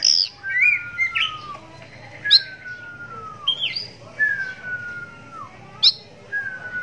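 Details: Captive oriental magpie-robin, blind in the right eye from cataract since young, hand-raised, singing so that other magpie-robins answer; long clear whistles sliding slowly downward, broken by sharp high notes, repeated about every two seconds.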